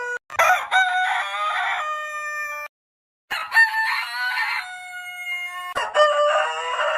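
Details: Loud cock-a-doodle-doo crows from a rooster, three in close succession, each a grating burst that trails into a steady drawn-out note.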